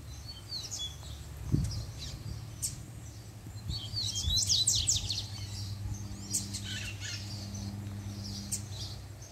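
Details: Caged coleiro (Double-collared Seedeater) in a managed pair, 'puxada' song triggered by the female's appearance: a burst of bright, rapid, sweeping high notes midway, among quieter chirps, a single low thump and constant background hum.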